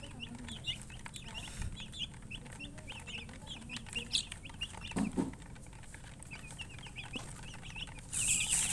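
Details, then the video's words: Steady high peeping from chickens, short bright notes in loose clusters, a soft thump partway through and a hissing burst near the end. "silly chicken chirping sounds with murgi hen color chicken"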